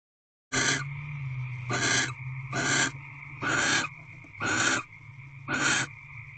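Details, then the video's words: Barn owls in a nest box at dusk, 6:04 pm on 27 February 2023, on their tenth night of mating and bonding; six harsh, breathy hissing bursts about one second apart over a steady low electrical hum. "Barn Owl Mating Ritual"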